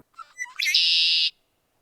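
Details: A Red-winged Blackbird, a spring migrant to marshes of southeast Saskatchewan and southwest Manitoba in April–May, gives its distinctive conk-la-ree: a few quick clipped notes, then a loud buzzy trill held about half a second, with no other sounds behind it.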